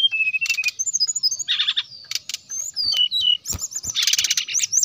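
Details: Brown-chested jungle flycatcher song, played to make rival birds answer: steady whistled notes with dry buzzy chatters, ending in a dense rattling burst.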